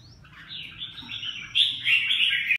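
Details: Red-whiskered bulbul giving a short warbled phrase that starts with a thin rising whistle, builds into louder chirpy notes, then ends in a bright trill.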